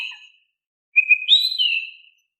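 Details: Oriental magpie-robin singing softly, played to prompt quiet magpie-robins to reply. A faint trailing note, a pause, then a clear whistled phrase: two quick pulses on one pitch, then a rising sweep and a falling, fading slur.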